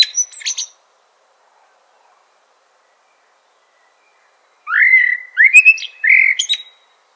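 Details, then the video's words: Mellow rising whistles from a common blackbird come in a short phrase late on, preceded by a brief high squeaky fragment and a long quiet gap. "Common Blackbird Call/Song/Sound - Chirping/Singing Birds"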